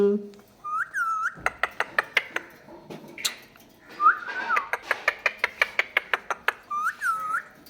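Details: Chatty pet parrot vocalising at home: looping, rising-and-falling whistles at the start, middle and end, with a long run of sharp rapid clicks in between and a person's voice nearby.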